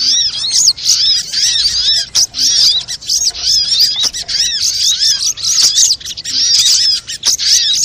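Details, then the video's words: Lure audio of a sunbird for making caged birds sing: an almost continuous stream of thin, piercing chirps and curved squeaky notes, chattered rapidly with only brief breaks. "SUARA PIKAT BURUNG SOGOK ONTONG RIBUT AMPUH BIKIN SOGON NEMPEL PULUT"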